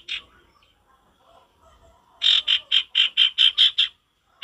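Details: A male sirtu calling hard against a quiet forest background: one rasping note, a pause, then a rapid string of about eight evenly spaced buzzy, scratchy notes.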